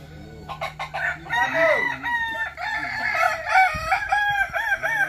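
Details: Kukuak Balenggek rooster at a practice crowing contest in Sawahlunto. After a few short sounds, a long crow breaks into many rapid wavy steps, like a bouncing chain of syllables, lasting over three seconds.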